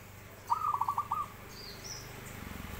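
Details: Zebra dove singing actively, giving a single quick phrase of rapidly pulsed, bubbling coos lasting under a second, followed by quiet background with faint high bird chirps.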